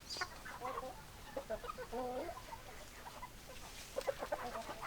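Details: Chickens clucking, with short low clucks and a brief run of soft, wavering notes near the middle, faint against a steady background hiss.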